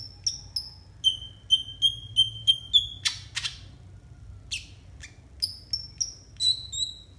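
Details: Konin song recorded for mastering untrained konin: a series of evenly spaced, high whistled notes, then two harsh noisy bursts, followed by more descending whistles, over a soft low hum.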